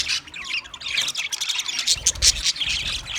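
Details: Budgerigars, green-feathered, squawking and chirping in quick harsh bursts, several birds overlapping in steady chatter, with a low rumble partway through.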